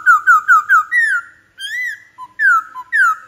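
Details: Black-throated laughingthrush song of clear, loud whistled notes, each one slurring downward, given in a quick series of four, then longer arched whistles and two more falling notes.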